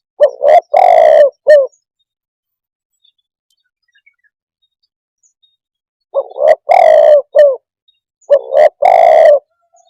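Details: Spotted dove giving its low cooing phrase three times: stuttering short notes, a drawn-out resonant coo, then a short final note, with a long silent gap between the first and second phrases.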